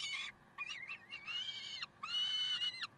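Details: Peregrine falcon calls from Karlsruhe on 30 May 2010: a short harsh note, then a wavering, uneven wail and two long strained, buzzy notes that end in a slight downward slur.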